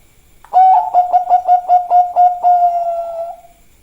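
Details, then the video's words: Zebra dove of the Bangkok type cooing energetically: about eight quick pulsed notes on one steady pitch followed by a long drawn-out trilled coo that tails off. "perkutut bangkok suara rame"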